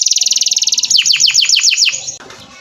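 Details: Canary tutor song for training other birds: a rapid rattling trill, then a series of sharp descending whistled notes about six in quick succession, ending in softer noise.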